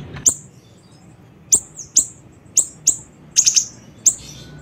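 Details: Lure recording of a siri-siri bird: thin, piercing high chirps given singly or in fast triplets, separated by short pauses, with faint hum beneath.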